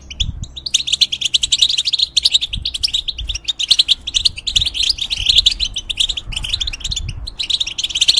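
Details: Caged European goldfinch, a feather-changer used to tutor young hybrids, singing a fast run of twittering, tinkling notes with brief pauses, steady throughout; low thumps and handling noise underneath.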